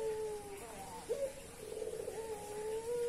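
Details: Barbary dove in breeding condition, cooing nonstop: a low, steady, humming coo, broken by a short, sharp rising note near the middle, then continuing level and mellow.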